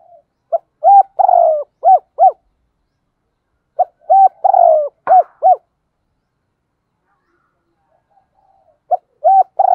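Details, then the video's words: Caged decoy spotted dove cooing in the morning: low hollow coos in phrases of about five or six notes with a drawn-out middle note, phrases repeated after pauses of a couple of seconds, clean recording without background noise. "Tiếng Chim Cu Mồi gáy gọi buổi sáng"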